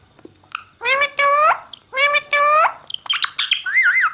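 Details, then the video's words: Parrot talking: two pairs of loud, harsh, word-like syllables with rich harmonics, followed by quick high squeaks and a rapid warbling whistle at the end. "Parrot Talking"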